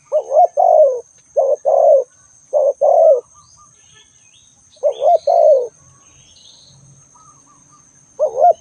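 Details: Calling spotted dove repeating short, soft two-part coos: a bouncing rise, then a drawn-out descending croo. Five phrases come in quick succession, with a pause midway, a few faint high twitters behind and a constant faint whine.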